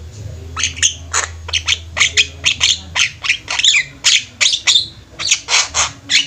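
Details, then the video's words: Group of Javan mynas in full chattering song, a rapid string of scratchy, squawking notes about every third of a second, with a low hum in the first half. "Burung jalak kebo ombyokan juga bisa gacor"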